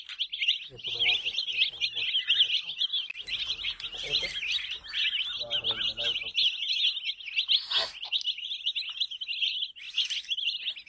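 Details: A group of baby chicks keeps up a constant shrill peeping, many high piercing notes overlapping without pause, with soft low thumps and a couple of short noisy bursts in the background.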